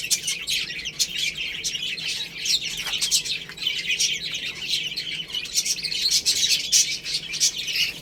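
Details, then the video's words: Many chicks eating rice give continuous high, thin chirps and short peeps, densely overlapping, with repeated sharp tapping as they peck. "Beautiful Chicks Chirping Sounds"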